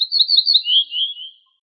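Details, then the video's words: Ortolan bunting, known in Morocco as el bouh el fassi, singing a short phrase: about six clear, high notes repeated quickly, then two or three lower, slurred notes that trail off. No other sounds. "شريط تغريد طائر البوح الفاسى"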